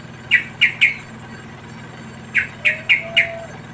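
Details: Wild yellow-vented bulbul young being fed by their parent give sharp, short chirps, a quick run of three and then a run of four, with a soft low background hum.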